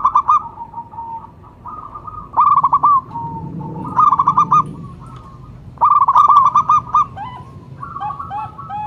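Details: Perkutut lokal (local zebra dove) gives several phrases of quick staccato coos and trailing held notes, interspersed with lighter cooing from another dove and a faint low hum.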